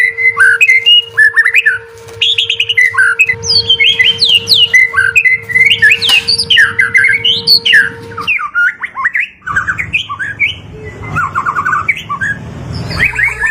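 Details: Lively white-rumped shama song, played to stimulate lazy or stressed birds into singing, with a long run of rapid, varied whistles, chattering notes and sharp squeaks, a brief pause, then more phrases; a low hum persists throughout the first half.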